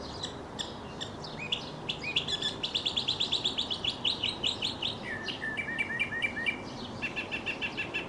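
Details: Male mockingbird singing while leaping up and tumbling: a rapid rattling series of high notes repeated many times per second, then a switch to a lower run of steady chirps, showing the varied, changing song.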